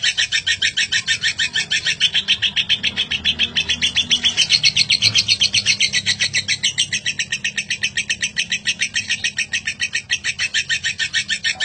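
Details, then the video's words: Long ngekek chatter from a lovebird, used as a model song for other birds. A relentless series of harsh, grating pulses runs steadily, briefly rising slightly in pitch midway, over a low background hum. "Lovebird ngekek panjang durasi 1 menit lebih"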